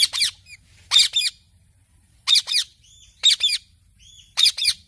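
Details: Parrot chirping: harsh doubled squawks repeated about every second, each pair followed by a faint thin whistle, against near-silence.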